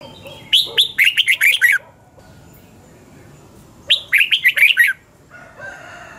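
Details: Red-whiskered bulbul giving morning song in the 'double-twist' voice style, recorded 2020 as a lure sound for training other bulbuls to sing: two quick bursts of five or six bright, warbled, rising-and-falling notes, about three seconds apart.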